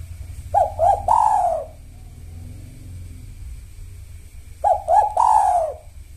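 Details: Spotted dove in 'kuk satu' song style, a lure rhythm for sahur time: two full coo phrases about four seconds apart, each two quick clipped notes then a drawn-out descending coo, steady low background hum.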